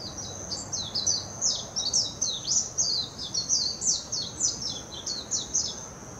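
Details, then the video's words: Warbling white-eye singing in Hashimoto, Wakayama Prefecture, Japan, on 26 June 2021, filmed with a Nikon Coolpix P900: a long, rapid, high twittering run of slurred chirps and warbled notes over six seconds, with a steady insect drone behind. "メジロ さえずり 姿 鳴き声 warbling white-eye song"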